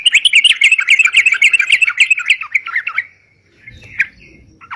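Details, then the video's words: Sooty-headed bulbul song used as a lure: three seconds of fast, trilling chatter, then quiet with a single faint call and low background rumble. "suara crucukan gacor bisa buat pikat"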